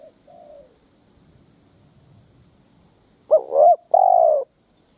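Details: Spotted dove kept as a ground lure for challenging wild doves: faint distant cooing first, then a loud phrase of a wavering stuttered note and a long, falling, hoarse coo.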